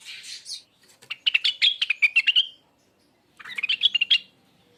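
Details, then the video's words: Rengganis, a cage bird, singing rapid bursts of sharp, bright chirps and twittering notes, with a buzzy rising phrase at the start, a dense chattering run, a pause, then another short twittering burst. "suara burung Rengganis"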